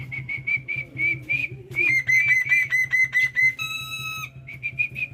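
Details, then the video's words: Morning song from a pet black-winged starling in full voice, with a run of clear whistled notes repeated about twice a second, a brief buzzy harmonic-rich phrase, then more whistles, with a constant low hum behind. "BURUNG JAPUT KU GACOR BANGET"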